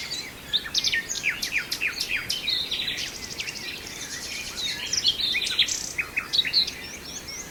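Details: A nightingale sings in Brijeste: a string of sharp, steeply sliding whistles repeated roughly every half second, a short buzzy burst, and quick chirping phrases, with other birds faintly behind.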